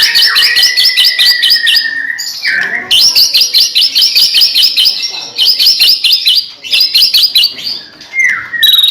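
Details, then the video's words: White-rumped shama used as a singing lure for other shamas: long runs of rapid repeated high notes, about two per second clusters, broken by short pauses and a few sliding whistles. "murai batu gacor AMPUH buat PANCINGAN murai batu agar bunyi"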